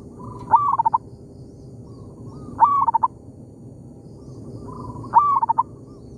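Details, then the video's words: Zebra dove answering a decoy bird in an oil palm plantation: each phrase opens with a soft coo, then a loud rising whistle breaking into four or five quick beats, three phrases in six seconds. "merdunya suara perkutut lokal di kebun sawit,bersahutan dengan pikat"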